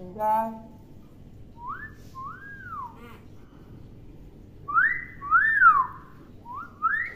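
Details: Tame hill myna kept as a talking bird, known for mimicking greetings and Pancasila, giving clear whistled notes, each rising then falling, in pairs and short runs, after a brief harmonic voice-like sound at the start; quiet indoor background.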